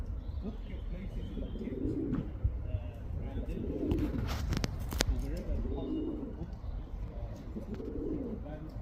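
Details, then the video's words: A male pigeon calls a female with repeated low, burbling coos, four rounded phrases about two seconds apart. A burst of sharp clattering noise comes midway, with a rumbling low background throughout. "Male pigeon cooing sound | Pigeons sound | male pigeon calling female pigeon"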